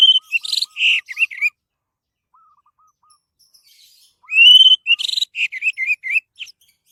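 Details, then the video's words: Orange-headed thrush singing, a recording meant as a lure to prompt other birds to sing; two bursts of rich, varied whistles and harsh chirps separated by a quiet gap with faint low repeated notes. "SUARA BURUNG ANIS MERAH PALING TOKCER"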